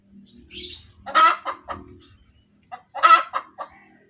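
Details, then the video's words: Hen clucking after laying an egg: loud harsh cackling notes in bursts, each a quick run of rasping clucks, two main bursts about two seconds apart with quieter clucks between and soft low background noise. "SUARA AYAM SETELAH BERTELUR | AYAM BERKOTEK | AYAM BETINA BERTELUR"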